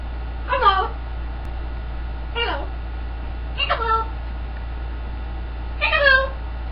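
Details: Caged pet green-winged macaw at home, known for chicken-like clucking, talking and a wolf whistle, gives four short, rough harmonic calls spaced roughly one and a half to two seconds apart against a constant low hum.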